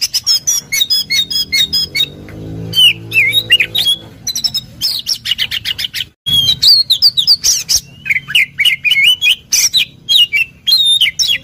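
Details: Oriental magpie-robin singing hard to provoke a rival into replying: dense, rapid chatter and swooping whistled notes in quick succession, with a low droning hum beneath.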